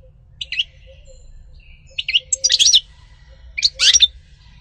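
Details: European goldfinch uttering short bursts of bright twittering chirps, three clusters spaced over a few seconds, separated by quiet intervals with a faint low hum.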